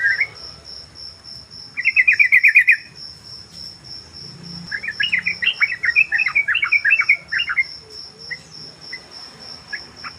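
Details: Tame sooty-headed bulbul used as a lure and tutor bird sings two bursts of rapid, bubbly, warbling notes, the second longer and more varied, over a constant high-pitched pulsing insect drone.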